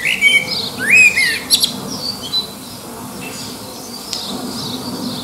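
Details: Blackbird song from near Liverpool, the bird competing with others in the distance to win a mate; a quick burst of rich whistled and chattering notes opens, followed by quieter background twittering and hiss.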